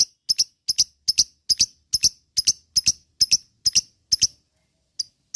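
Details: Lovebird sounding as a lure to provoke other lovebirds into long ngekek chattering: about a dozen sharp high chirps repeated roughly twice a second, then a pause and one last note.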